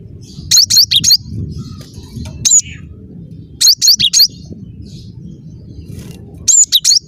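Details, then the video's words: Cinereous tit (gelatik batu) in energetic song, giving short clusters of three or four sharp, high whistled notes with a lone note between them, spaced a few seconds apart above constant low-pitched background rumble. "Burung gelatik batu gacor"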